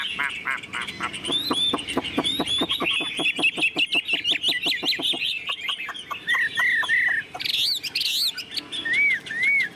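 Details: Chinese hwamei kept in a cage, singing ngũ trường style with fanned tail: long fast run of dry rattling clicks, then clear arched whistled notes repeated in pairs.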